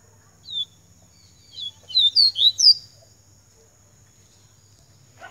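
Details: Yellow-bellied seedeater, known locally as coleiro baiano, singing in the pica style: one thin whistled note, a pause, then a quick burst of four sharp, slurred high whistles, with a steady faint high tone behind.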